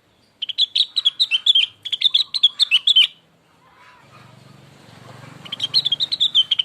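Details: Cucak rengganis, known also as cucak wilis, singing a lure recording meant to set off another bird: two fast, chattering phrases back to back, then a low hum, then the rapid notes start again.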